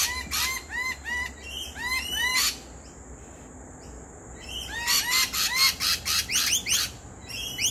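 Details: Lorikeets, a pair visiting a backyard barbecue, give a burst of rapid arched notes, a pause of several seconds, then a renewed run of bright rising and falling notes.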